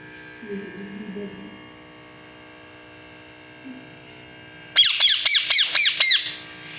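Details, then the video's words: A parrot gives a burst of about six loud, harsh squawks in quick succession, each a sharp falling sweep, after a few seconds of quiet low speech and steady electrical hum indoors. "cute parrot 🦜 and parrot voice"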